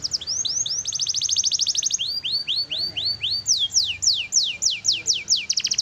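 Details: Black-red canary song in high, bright phrases: a fast rattling trill, then a run of rising slurred notes about three a second, then quick falling sweeps.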